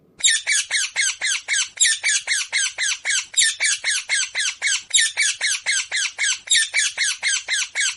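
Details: Indian ringneck parakeet, a green Pakistani parrot, giving loud, harsh, rasping squawks in a steady series of about four per second, each note a short buzzy burst, with little else audible.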